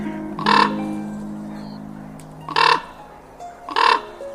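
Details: Raven; cronk call; calling to other ravens over long distances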